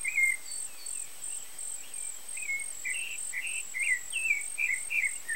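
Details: Turdus rufiventris parents feeding their nestlings: one louder chirp opens, then a string of brief, rising-and-falling squeaky notes follows at an uneven rate of about two per second. A constant shrill insect drone sits behind.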